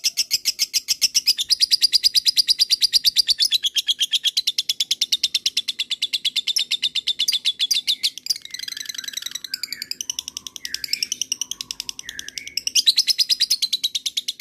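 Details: Long ngekek trill of a lovebird, played to draw other lovebirds into answering: a steady, fast stream of high buzzy notes running for many seconds, wavering in pitch midway before resuming at full speed.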